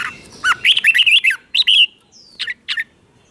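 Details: Red-whiskered bulbul cage bird singing its doubled song for teaching young birds: a run of rolling whistled notes, a brief gap, then two sharp separate chirps and a thin drawn-out whistle.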